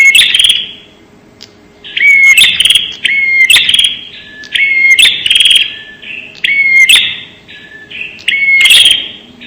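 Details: Bar-winged prinia (prenjak) recording used as a bird lure: loud, buzzy, rattling bursts, each holding a short rising whistled note, repeated about six times with brief pauses and no other sounds.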